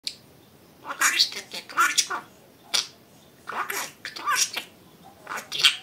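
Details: Pet budgerigar talking indoors: short bursts of raspy, high-pitched mimicked speech broken by brief pauses, with chirpy squawks mixed between the syllables.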